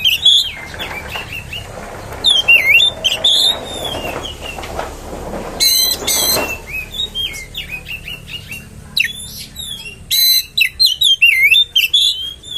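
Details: Oriental magpie-robin provocation song: scattered whistled slurs and twisting notes, broken by harsh rasping bursts. It builds to a dense run of loud whistles and chatter near the end.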